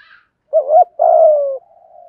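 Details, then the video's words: Spotted dove in the 'thúc gù giọng thổ' style, recorded to excite other doves: a wavering two-part coo followed at once by a long, steady, slightly falling coo, with a faint higher note before it. "chim cu gáy thúc gù giọng thổ"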